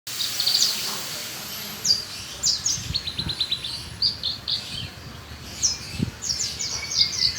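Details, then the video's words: Australasian bushlark singing actively: rapid bursts of high, sharp chirps and short trilled phrases, some notes sliding quickly, delivered in clusters with brief pauses, over a steady background hiss. "Burung beranjangan gacor"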